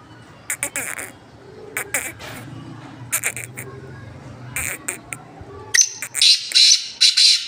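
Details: Caged black francolin kept in a hanging cage: harsh, grating bursts come in short clustered groups every second or so, then thinner high chirps close together near the end.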